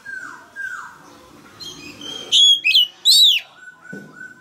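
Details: Caged male Oriental magpie-robin singing to stimulate a young bird: two soft falling whistles, a pause with faint background sound, then three loud, high, slurred whistled notes.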